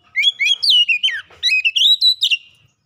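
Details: Oriental magpie-robin (kacer) lure song, used to coax a silent magpie-robin into singing: a continuous two-and-a-half-second run of varied, sweet whistled notes that swoop up and down, with crisp chirps in between, against a quiet background.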